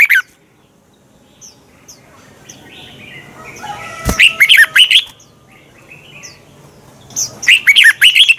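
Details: Red-whiskered bulbul singing a morning 'twisted voice' contest song, used as a decoy to provoke other bulbuls to sing: two bursts of quick, looping whistled notes separated by a quiet stretch, with one sharp click before the first burst.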